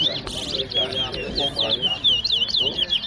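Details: A chestnut-bellied seed finch (Sporophila angolensis) at a bird whistling competition in Guyana sings a quick run of clear, high whistled notes slurring up and down, with people talking underneath. Chestnut-bellied seed finch.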